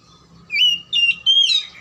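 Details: Oriental magpie-robin song used to stimulate quiet or lazy birds into singing: three loud sustained whistled phrases in quick succession, the last rising slightly higher, with a faint steady tone underneath.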